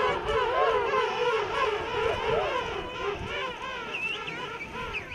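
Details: King penguins in a huge breeding rookery on Salisbury Plain, South Georgia; a dense chorus of many overlapping trumpeting, wavering calls that rise and fall, with higher, sharper notes breaking through near the end.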